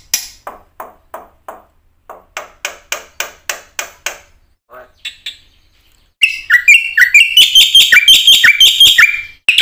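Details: Lure song of a black-winged myna meant to coax quiet mynas into singing: six seconds of soft, evenly spaced clicking taps, then a dense outburst of loud, harsh, whistled and chattering notes.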